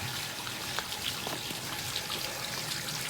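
Steady trickling and splashing of flowing water fills the recording, with no animal calls standing out.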